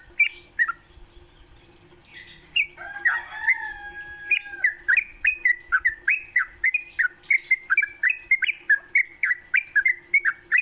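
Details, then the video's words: Sooty-headed bulbul morning song for training songbirds: opening with a few scattered notes and a drawn-out wavering whistle, then a fast even series of short, downward-bending whistled notes over a persistent high tone. "Pancingan TRUCUK PAGI hari, bikin trucukanmu gacor sepanjang hari."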